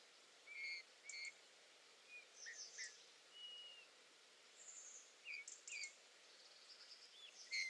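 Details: Eurasian bullfinch from the UK: soft, low piping whistles, some short and slightly falling, spaced irregularly with a few thin higher chirps in between, over a quiet hiss.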